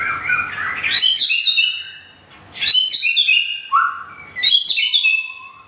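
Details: Kept white-rumped shama in Thung Song, Thailand, recently moved and finishing a molt with feathers nearly full, sings three bursts of bright, ringing whistled phrases, each opening with sharp high notes and settling into lower sustained tones, with short pauses between.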